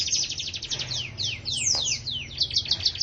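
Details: Canary singing vigorously: rapid, high, sweeping trills and downslurred whistles run together without pause, over a low steady hum.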